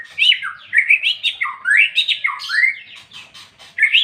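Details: Loud ngeplong singing from a white-rumped shama: continuous, varied whistled phrases that swoop sharply up and down, packed closely together, with a brief pause before a final rising note.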